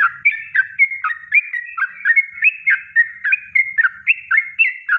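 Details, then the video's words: Yellow-vented bulbul giving a natural kongslet-style song, used as a master recording for training birds: rapid bubbly whistled notes in short rising and falling slurs, repeated several times per second with no pauses, clean and without other sounds. "Masteran Trucuk Kongslet Alami"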